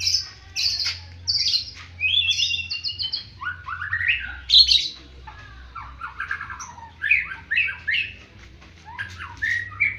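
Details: White-rumped shama in a fighting style like the bar-winged prinia: loud, rich medley of high whistles, harsh chattering bursts and rising slurs, delivered in quick phrases with brief pauses, low hum behind.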